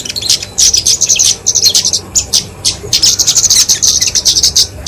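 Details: Kemade, a flowerpecker, giving its fighting song for songbird training and luring: quick bursts of piercing high chips and trills, several clustered phrases separated by short silences.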